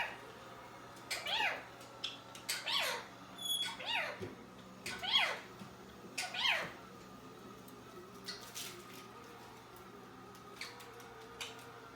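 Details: A pet parrot, a Quaker parrot or an African grey kept together, gives a run of harsh, arching squawks, some almost meow-like, with a few brief clear whistles.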